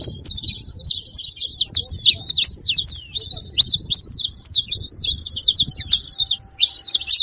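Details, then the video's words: High-pitched saffron finch song aimed at rousing a quiet canary, an unbroken seven-second flow of quick, sharp chirps and slurred notes above a soft low rumble. "canto de canário da terra junto pra foguea e esquentar seu canário frio"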